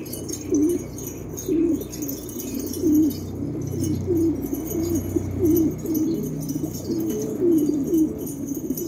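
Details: Rare Australian pigeons, cooing steadily: low, rolling coo phrases repeated roughly every one to one and a half seconds, swelling and fading, over a faint low hum indoors.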